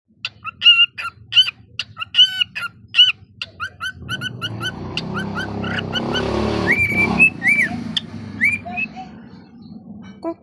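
A cockatiel whistles a string of clear, bright notes, some rising and some falling, with a low hum beneath.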